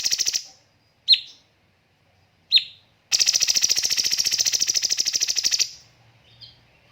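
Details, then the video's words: Cucak cungkok on a master recording for training birds: a short buzzy burst, two sharp downslurred whistles well apart, then a long rapid pulsed rattle of some two and a half seconds fading out. "BURUNG CUNGKOK MASTER SEMPURNA JEDA & RAPAT TEMBAKAN"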